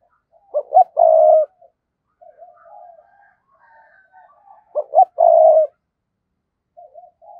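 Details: Spotted dove decoy calling to attract wild doves. Two loud cooing phrases, each two quick notes and then a long, level coo, with softer murmured coos and faint high whistles between them.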